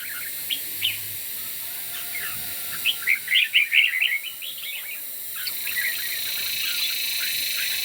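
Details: Red-whiskered bulbul competition singing in the morning: scattered short whistled chirps, then a quick bubbly burst of about eight bright notes, followed by a few more spaced phrases over a steady background hiss.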